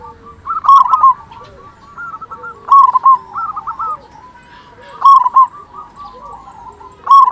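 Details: Local zebra dove, a heavy-voiced frequent singer kept as a lure to excite other zebra doves: repeated stuttering coo phrases about every two seconds, bright clicky onsets, with softer cooing layered underneath.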